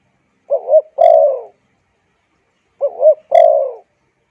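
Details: Spotted dove call for luring wild birds and training decoys: two well-spaced phrases, each a quick undulating double coo and then a drawn-out, softly falling coo, with silence between.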